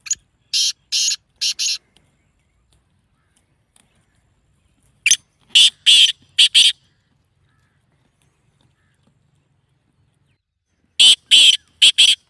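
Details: Black francolin giving its breeding-season call, which is said to excite the bird into breeding condition: three phrases of four or five harsh, buzzy rasps each, separated by about five seconds of silence.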